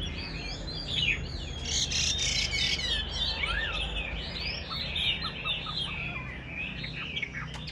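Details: Caged Chinese hwamei singing a dense, rapid run of varied whistled and chirping notes, mostly high-pitched, over a steady low background hum.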